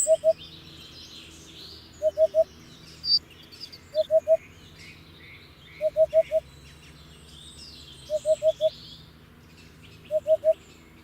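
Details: Hoopoe giving soft, low hollow hoots in tight bursts of three or four, a burst roughly every two seconds, with high chirps and twitters of other birds in the background.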